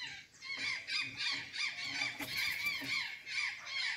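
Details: Azure jay calling while eating banana and sweet potatoes in Santa Catarina, Brazil: a near-continuous stream of rasping, squawking notes, some dipping in pitch, overlapping with little pause.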